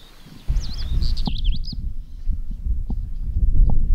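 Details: Pied wheatear in Bulgaria in May 2010: a quick warbled phrase of high, twisting whistled notes lasting about a second, then silence from the bird, all over heavy low rumbling wind on a windy day.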